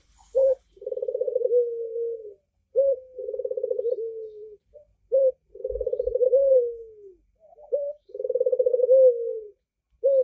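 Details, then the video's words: Red-eyed Barbary dove repeating its call about twenty-five times a minute: a short abrupt note, then a low rolling coo trailing into a soft descending hum. Four full phrases are heard, with a few faint clicks in the background. "SUARA BURUNG PUTER MATA MERAH,GACOR"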